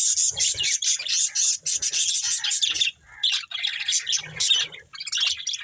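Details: Loud, harsh chattering and squawky chirps from a pair of breeding budgerigars, in long phrases broken by short pauses.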